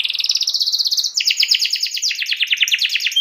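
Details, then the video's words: Canary singing hard to spur a rival to sing: an unbroken stream of fast trills, switching after about a second into a lower, choppier series of quick repeated notes. "KENARI GACOR MEMANCING LAWAN AGAR IKUT GACOR"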